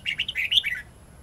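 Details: Red-whiskered bulbul in wild forest voice with twisting phrases, recorded for teaching young birds: a lively string of rapid chirpy whistles, rising to a bright peak and dropping into a lower slurred ending.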